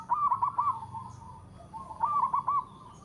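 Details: Local zebra dove singing in all directions with a melodious voice: two quieter rippling cooing phrases about two seconds apart, each a short run of bubbling notes, set against a steady faint background hiss.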